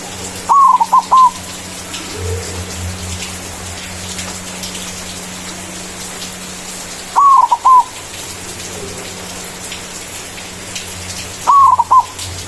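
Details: A white zebra dove's loud manggung song, used to lure and call rivals: three mellow phrases at four- to five-second gaps, each a long note followed by rapid stammered notes, over a soft hissing background.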